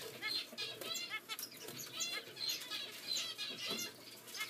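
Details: Zebra finch chicks, Continental CFW and Normal Gray sharing one nest, give a rapid chorus of thin, high, wheezy begging calls.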